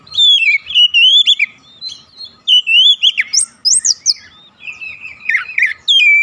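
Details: Oriental magpie-robin song to provoke other magpie-robins: rich continuous warbling of wavering whistles, quick upslurred chips and trills in several long phrases, with only faint background noise.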